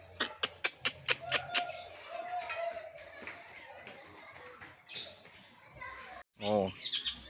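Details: Long-tailed shrike, known locally as cendet, in full singing performance: a run of sharp repeated clicks at the start, then varied warbled and chattering phrases with trills and a harsh burst near the end; a man speaks excitedly.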